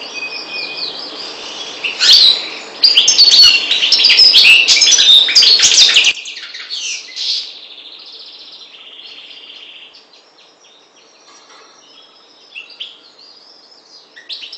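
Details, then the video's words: Maghreb goldfinch, subspecies parva, bursting into loud, rapid twittering song for several seconds. The song then drops abruptly to a much softer, thinner warble with occasional faint notes. "Chardonneret parva maghreb"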